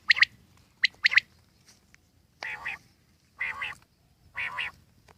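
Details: Wild common quail, jungli batir, giving two sharp clipped notes, then three broader nasal harmonic calls spaced about a second apart over quiet background.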